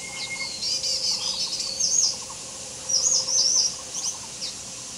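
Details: Green shrike-babbler at Touzhongxi, Yangmei, Taiwan, recorded 16 July 2015: a run of high, bright chirping and warbled phrases, then a short pause before further quick twittering notes, over a steady shrill insect drone.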